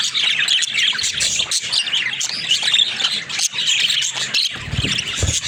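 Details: Pet budgies, described as talking budgerigars, twitter and squawk in a dense high chatter, ending with a few low thumping knocks beneath the calls.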